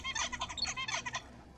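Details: Zebra finch adult son's song, learned from his father as tutor and closely resembling it: a quick run of buzzy, nasal notes and harmonic stacks, about ten syllables packed into just over a second.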